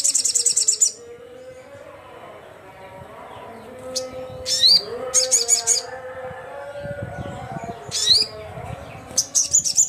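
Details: Crimson sunbird calling rivals, repeating short, very high rapid trills and sharp descending notes in bursts every second or two, with a faint low tonal hum and soft rumbling in the background.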